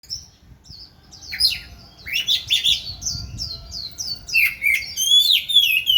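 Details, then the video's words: Oriental magpie-robin singing while dancing: quiet start, then a rich run of varied whistled phrases, rising and falling slurs and buzzy chirps delivered rapidly and building louder toward the end. "Chòe than múa hót"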